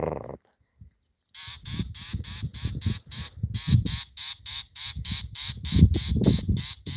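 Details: A Southern Fiscal, the "cry wolf bird", gives fake alarms near mongooses on 30 January 2026, harsh, grating notes about three a second in a steady chattering run, over low rumbling wind and handling noise.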